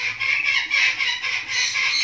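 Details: Newly hatched cockatoo chick being hand-fed: a steady, harsh, raspy hiss rising and falling in waves, with short dips between bursts roughly every half second.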